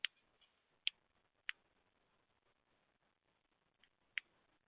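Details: A male red-winged blackbird feeding while keeping blue jays away gives sharp, dry check notes, about six in five seconds at uneven intervals, over a faint background hiss.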